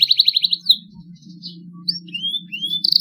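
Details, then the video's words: Young canary learning to sing and starting to produce long rolls: a fast trill of rapid repeated high notes opens, followed by scattered short chirps and upward-sliding whistles, then another quick trill at the end, over a low steady hum. "KENARI PAUD BELAJAR BUNYI SUARA MULAI NGEROLL PANJANG"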